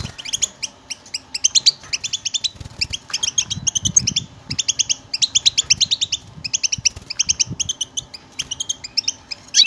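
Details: Goldfinch batbata chorus used to provoke silent goldfinches to sing: sustained bright twittering in tight bursts with brief breaks, and low muffled rumbles in the background around the fourth second.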